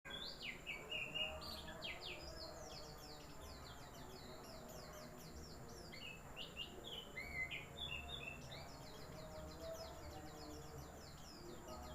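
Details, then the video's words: White-eye (pleci) in a fast, continuous twittering song of high, thin chirps and trills, pouring out in long runs with brief pauses, over a steady low background hum. "pleci wiksar"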